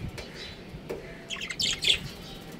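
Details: A breeding pair of pet budgerigars kept as a family; a short burst of bright, high chirps and twitters crowds the second half, over steady low room hum and a few soft knocks.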